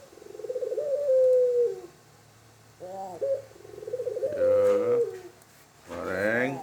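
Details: Tame Barbary dove, called puter kreen, giving repeated rolling coos, each building into a long level sustained note, with short stepped notes between and a louder harmonic-rich call burst near the end.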